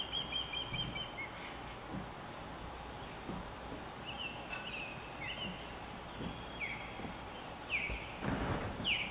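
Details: Female osprey at her nest, stressed and calling out while an intruding third osprey lingers nearby through the afternoon; brief descending whistled chirps scattered across the clip over a steady insect-like drone and wind noise.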